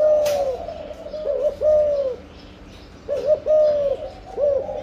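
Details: Spotted dove, breeding, coos in measured phrases: a long level note, then a quick stuttered pair and another extended soft tone.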